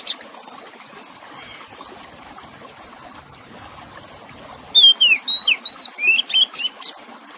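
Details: Kacer, or Oriental magpie-robin, singing beside splashing water: a quick series of clear, high whistled notes, some sliding up and some sliding down, follows a quiet start and is mixed with sharp chirps.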